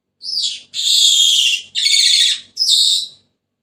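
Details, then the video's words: Senegal parrot giving three harsh, raspy screeches in quick succession, each lasting under a second, separated by brief pauses, with a quiet indoor background. "تغريد ببغاء السنيغالي the sound of the parrot senegal"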